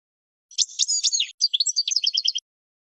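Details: A short goldfinch phrase from a song for training young birds: buzzy twittering notes followed by a neat run of about seven evenly spaced paired chirps, clear and high, nothing else heard.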